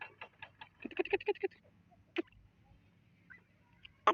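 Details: Partridge chattering: a rapid stuttering series of short harsh notes, followed after a pause by a couple of louder single clipped calls, over a faint hum.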